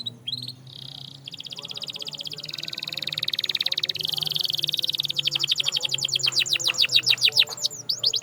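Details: Canary song over noisy background: a dense, rapid buzzy roll building through the middle, then a series of clear descending sweeps repeated quickly toward the end.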